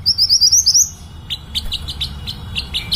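A fairywren gives a rapid run of high, thin rising trills, then a quick series of sharp, high chips at about three per second.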